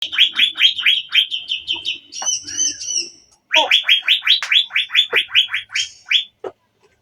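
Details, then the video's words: Javan green magpie singing: rapid series of loud downslurred whistled notes, about two to three per second, broken by a short buzzy rattling phrase, then another run of sharp descending whistles. "SAUTAN CUCAK BIRU YANG DAHSYAT"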